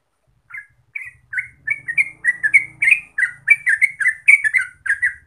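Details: Yellow-vented bulbul lure song for encouraging active singing starts with a few spaced notes, then speeds into a dense burst of gurgling, chattering phrases, roughly three and a half per second, over a faint low rumble.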